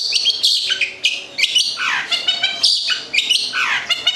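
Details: Long-tailed shrike (cendet), local Gedong Songo bird from Central Java kept as a pet songbird: repeated falling whistled slurs mixed with quick high chirps, roughly one phrase every half second.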